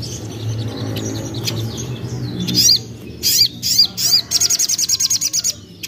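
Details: Young common iora as a singing lure for untrained birds: quiet opening with low rumble, then loud high notes with rising-falling slurs and a quick even rattle of about a dozen notes.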